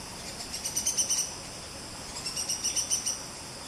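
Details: In Malaysian rainforest, a buff-rumped woodpecker gives two rapid runs of six to eight piercing high notes, about a second apart, over a soft background hiss.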